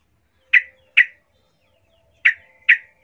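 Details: Yellow-vented bulbul female calling to males, a lure call: four sharp, emphatic chip notes in two pairs, each pair about half a second apart, with quiet between.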